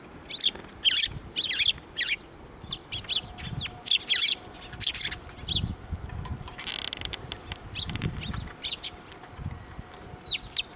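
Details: Sparrows flying in to be fed along a path at a Tenmangu shrine, April 19, 2024; many short high chirps and tweets in quick overlapping bursts throughout, with soft low rustling and a faint steady hum.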